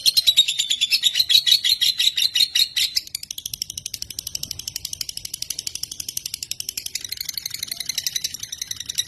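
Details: Lovebird from Indonesia giving a fast, dry chattering trill of high, buzzy notes, loud for about three seconds before dropping to a softer, steady rattle that swells again near the end.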